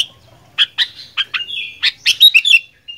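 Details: Sooty-headed bulbul delivering a gacor fighter-style song: a few spaced, bright chirps that build into a tight cluster of sharp, squeaky notes near the end. No other sounds stand out.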